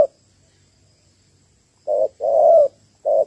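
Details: Female spotted dove calling to excite males, a call used for luring; after a pause, three low hollow coos, a short note, a longer drawn note, then another short one.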